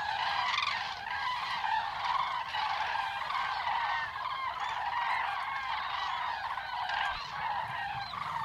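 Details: A flock of migrating common cranes resting at the Yelnya upland marsh stopover in Belarus keeps up a loud, continuous chorus of overlapping bugling, trumpeting calls with no pause for the whole stretch.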